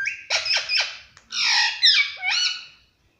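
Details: Pet parrot praised for its sweet voice gives a quick run of harsh, bright chattering notes. A longer raspy squawk and a final upward-sliding whistle follow.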